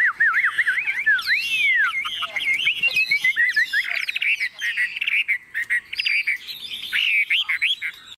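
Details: Caged Chinese hwamei, tame and carried by hand, pours out melodious looping whistles and rising-falling phrases, then quicker chattering trills with brief pauses.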